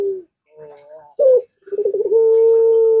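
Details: A Barbary dove, a training recording used to lure other doves, gives soft, low coos, then a quick wavering series running into one long, steady drawn-out curved note, with a faint indoor echo.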